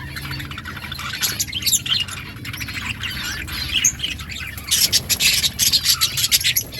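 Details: Budgerigars chirping and squawking in an outdoor colony, steady warbling chatter that swells into a louder burst of overlapping high chirps.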